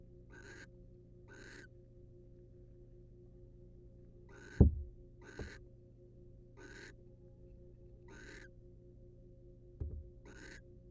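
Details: Wild barn owls in a nest box, the male preening the female: seven evenly spaced raspy hissing bursts, mixed with a few loud low thumps and knocks, against a quiet humming background.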